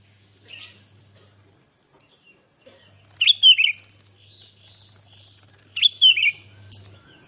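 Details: Lively singing sooty-headed bulbul, played to rouse other bulbuls into calling: short bubbly whistled phrases around 0.5, 3.2 and 6 seconds, each a quick warbling run of falling notes, over a faint steady low hum.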